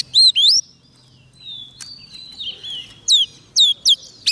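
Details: Oriental magpie-robin singing to call wild birds: loud, clear whistled notes with sharp upslurs and downslurs, some looping, in short bursts separated by quieter warbled phrases and brief pauses.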